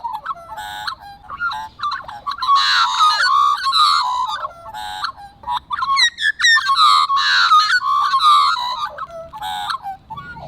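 Australian magpies carol in rich, fluting, gurgling phrases that rise and tumble, with several voices overlapping in a dense, continuous warble.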